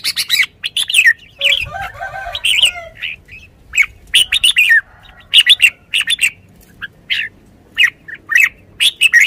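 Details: Red-whiskered bulbul in energetic song, a long series of bright, sharp whistled notes and rapid chattering bursts, with a harsher harmonic phrase near the start and steady short pauses between groups.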